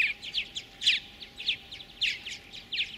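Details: Purple martin chicks in a gourd nest being fed by a pair of adults, Ellis Bird Farm near Lacombe, Alberta, Canada, 2017: high, scratchy chirps in quick bursts, several every half second, rising and falling in excited clusters; faint background hiss.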